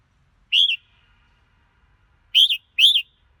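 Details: Red-whiskered bulbul singing three short whistled phrases: one, then after a pause two in quick succession, each phrase rising and falling.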